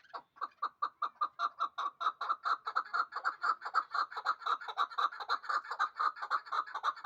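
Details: Two-year-old hybrid partridge from Dushanbe, meant for fighting and hunting, calls close and loud in a long unbroken series of clucking chuk notes, about four per second, for seven seconds.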